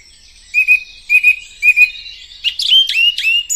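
A song thrush sings a clear, high double-note phrase three times in quick succession, then switches to a new set of sharp, ringing notes.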